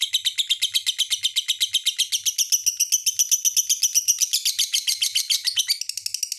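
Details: Fast, piercing lovebird chatter: a dense string of sharp squeaky notes at about four per second, briefly rising into a thin whistled slur before returning to quick, rhythmic twittering.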